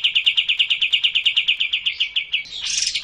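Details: Sooty-headed bulbul in racin style, for luring a quiet bird to sing: an even trill of clipped repeated notes, then a brief harsh burst at the end.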